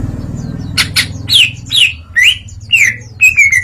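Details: Greater green leafbird singing openly through its learned song material: harsh chips and sharply slurred whistles about every half second, ending in a rapid, slightly falling whistled run over a low engine hum.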